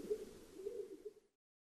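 A stock dove gives a low, soft, hollow cooing, a steady humming tone that swells and fades for just over a second before cutting off.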